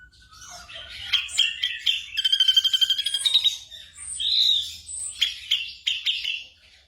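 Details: Black drongo song played to train caged birds at night: mixed chips and squeaks, a pulsing rattling trill in the middle, then scattered whistled and nasal notes; quiet hum.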